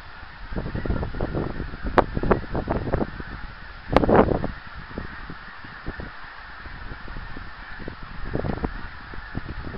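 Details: Flying geese recorded 24 January 2010: clusters of deep nasal honks come in bursts, loudest around the middle, over a steady background rush.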